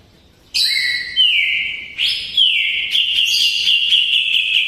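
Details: Kapas tembak-style filler song from a greater green leafbird singing eagerly: buzzy opening notes slide down into a long, clear, high whistle, which repeats and is then held with fast, chattering trills layered on top.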